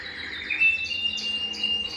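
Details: Belgian canary singing to stimulate males and bring females into breeding condition; a rising whistle into a sustained high tone overlaid with rapid, bubbling chirped notes.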